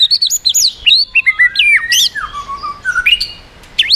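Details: White-rumped shama song used to provoke rival birds: a fast jumble of wavering high whistles and squeaky upslurs, then a lower drawn-out descending whistle and a few closing notes.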